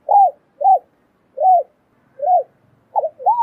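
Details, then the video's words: Female spotted dove calling to stir a male into cooing: low, rounded coos spaced about a second apart, ending in a quick double note with a wavering dip. "Tiếng chim cu gáy mái kích trống gáy gù"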